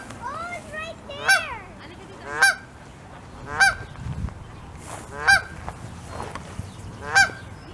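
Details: Canada geese, wild, beside goslings settling down to sleep under their mother's wing, Saskatoon, Saskatchewan, May 16, 2021. Five loud, harsh, nasal honks come at roughly one-second intervals, with softer rising calls between them.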